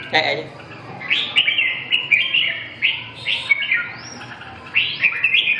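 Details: Red-whiskered bulbul singing a run of bright, clear whistled phrases, several short notes repeated in quick bursts with brief pauses between them, against faint low background hum.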